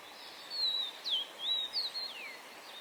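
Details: Yellow-bellied tit call series of high, thin whistles, alternating level and sharply downslurred notes, about six in under three seconds, with a soft hiss behind.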